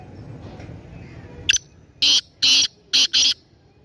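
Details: Sindhi-type black francolin (kala teetar) kept by a hobbyist at a shop in Topi, Swabi District, giving a harsh call: a short click, then four loud rasping notes, the last two closely paired; faint background hum.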